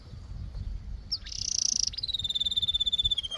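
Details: Canary song with a bright buzzy high trill followed by a sustained, slightly falling whistled note held for over a second.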